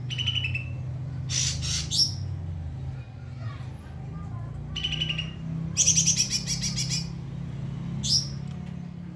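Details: White-rumped shama tutoring song for other birds, over a steady low hum: a short ringing phrase, harsh broadband bursts, a rapid chattering trill, then a single sharp high note.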